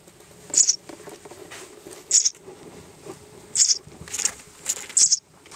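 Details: Baby mud swallow in a box on 17 May 2007, growing curious and seeming to want to converse. Several brief, very high chirps come at uneven intervals amid soft tapping and rustling.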